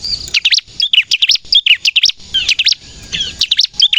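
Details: A bar-winged prinia sings in vigorous 'nembak' style, for luring birds and prompting untrained captive prinias to sing. A mix of sharp high chirps, short whistles and downward slurs arrives in uneven clusters.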